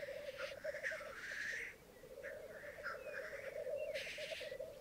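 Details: Black grouse lekking on a bog at Mykland on a May morning in 2022, twelve males and two females present: continuous low bubbling rookoo fills the background while loud hissing sneezes burst out at the start, near two seconds and near four seconds.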